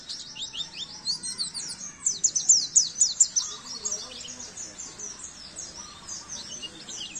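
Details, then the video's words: Training song of the Oriental white-eye for caged birds, a fast stream of high, thin chirps and twittering trills, loudest around the middle, with soft low background noise throughout. "masteran burung pleci"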